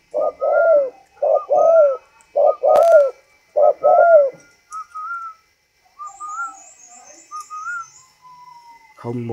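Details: Northern Vietnamese 'thunder voice' spotted dove, tame, giving four strong coo phrases of two to three notes each. After them come only soft whistled tones, and a short thump is heard at the end.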